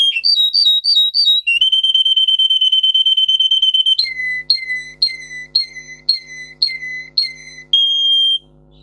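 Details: Singing Russian canary, a breed known for its song, in a training recording: quick trilled notes, a sustained pure whistle lasting over two seconds, then slower repeated falling two-note phrases over a faint low hum.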